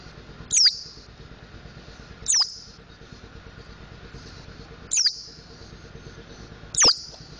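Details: Four crisp, very high descending chirps, roughly every two seconds, from a mountain white-eye learning its ngriwik and ngeplong song; low background hum throughout.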